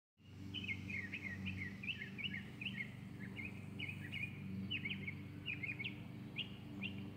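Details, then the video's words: Northern Mockingbird in October sings a steady run of short, varied chirps and chattery phrases, several per second, over a constant low hum of background noise. "Northern Mockingbird"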